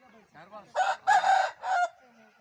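An Aseel rooster gives a hoarse crow in three loud segments, the middle one longest, preceded by softer low clucking notes.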